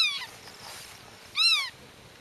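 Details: Black-tailed godwit near its nest, warning intruders and speaking to chicks hidden in the grass: one clear, falling, nasal call follows a fainter one at the start.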